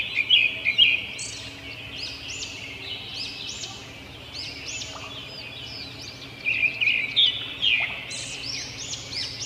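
Robins chirp in quick, high bursts, loudest at the start and again near the end, over a busy background of other small birds twittering.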